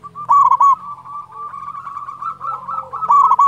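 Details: Local Indonesian zebra dove (perkutut lokal), a loud, actively singing bird. Bursts of rapid, warbled notes near the start and end frame a steady, rolling trill. A lower whistle and a faint hum sit underneath.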